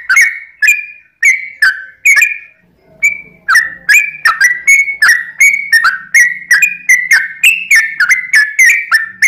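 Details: Sooty-headed bulbul, lively and in long rolling song used to trigger replies from other birds: clear, bubbly whistles falling in pitch, a brief lull with faint low hum, then an even, quick series of similar notes.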